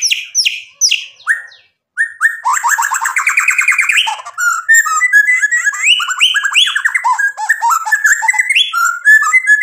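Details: White-rumped shama delivering a varied song meant to provoke rival birds into full song: a few falling whistles, then a dense rattling series, followed by rapid jumping whistled notes and chatters.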